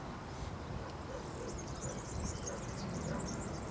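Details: European serin singing in branches at Zamudio, Txorierri, Bizkaia, on 2 June 2019: a sustained, very high, rapid jingling trill of tumbling buzzy notes running to the end, over low rustling noise and a few soft lower notes.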